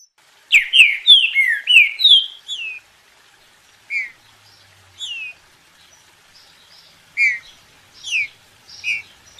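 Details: Green-winged saltator song meant to stir a bird into singing: an opening phrase of loud, slurred descending whistles lasting two seconds, then scattered single whistled notes every second or so, with quiet gaps between.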